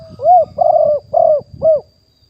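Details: Wild spotted dove recorded live in 2021 as a decoy bird calling to lure others: four mellow, hollow coos, the middle two longer and drawn out, over faint low rumbling.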